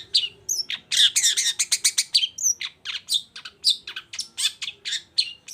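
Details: Lively long-tailed shrike song meant to trigger silent shrikes to join in: a dense, varied chatter of quick chirps, squeaky upslurs and scratchy notes, running almost without pause.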